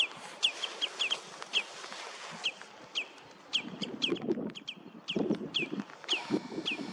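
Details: Common redshank recorded with a Nikon Coolpix P1000: sharp, high, downslurred piping notes, often in quick pairs or triplets, repeated throughout, with low rustling or wind noise in the second half.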